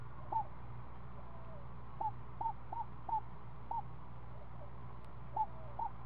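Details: Screech owl at the nest with a week-old owlet that is fed snake in the afternoon; short downslurred notes at a steady pitch come in a loose, irregular series over a constant low hum.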